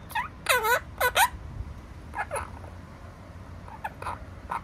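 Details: Opaline monk parakeet kept indoors: a loud opening run of quick, grating squawks in rapid succession, then softer scattered downslurred calls and short chirps trailing off. Light background hum.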